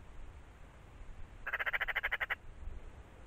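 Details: A brief harsh chak-chak rattle from a Eurasian magpie, around ten rapid pulses in under a second, standing out over quiet low-pitched background rumble.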